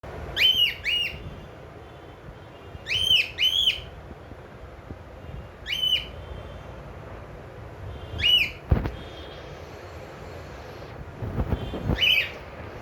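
A cockatiel gives bright, rising whistled calls, often in quick pairs, repeated every few seconds.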